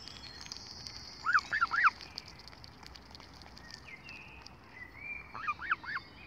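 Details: Solitary gosling with no siblings, often picked on by other families, giving two bursts of three or four shrill arched peeps several seconds apart, with faint higher chirps from other birds between.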